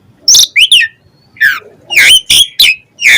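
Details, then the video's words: Asian pied starling in lively 'isian' song: loud harsh, broadband squawking notes and downward slurs, given in spaced bursts about every half second with short silences. "Jalak Suren Gacor Full Isian"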